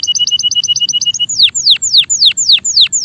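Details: Singing male canary delivers a rapid run of even double chirps, then slower sweeping notes that drop steeply from high to low, repeated about every quarter second.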